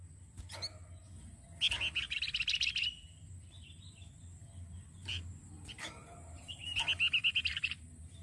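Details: Flamboyan singing as a model for other songbirds: two long bursts of rapid, buzzy-bright chirping trills about a second each, separated by short sharp calls, with constant low hum behind.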